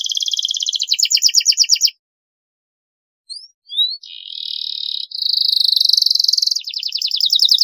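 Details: Canary singing on a long master recording for young birds: a quick high trill breaking off into about a second of silence, a few thin slurred notes, then a sustained bright rolling trill changing rhythm twice.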